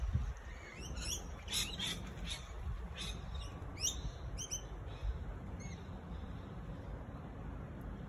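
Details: Singing honeyeater giving bursts of quick, sharp chirps and upslurred notes in irregular clusters, followed by a quieter stretch with low background rumble.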